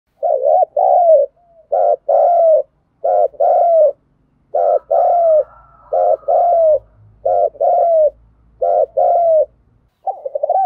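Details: A spotted dove cooing and calling in the morning: low, throaty phrases, repeated in short bursts with brief pauses.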